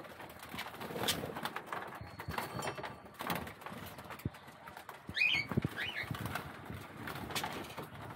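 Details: Budgerigars squabbling for a spot to bathe: after a stretch of splashing and wing noise, two short, twisting chirps come close together near the end.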